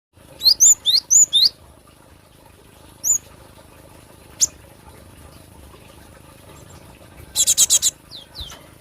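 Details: Cinereous tit singing, a recording meant for luring or song training: five quick high whistled phrases, each dropping in pitch. A lone note and a click follow, then a burst of four harsh buzzy notes and two faint whistles.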